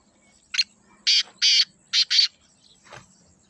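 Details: One rasping call phrase from a black francolin: a short note, two longer harsh bursts, then a quick double note, ending in a faint rough tail.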